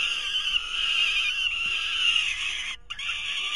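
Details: Three young falcons at their 2023 nest, competing for delivered prey: an unbroken, strained whining scream held for nearly three seconds, a short silence, then the same harsh wail resuming.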